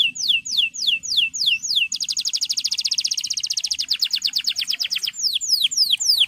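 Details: Male canary song meant to call a rival and stimulate young birds: slow falling slurs lead into a dense, buzzy rapid trill lasting about three seconds, then more spaced descending notes.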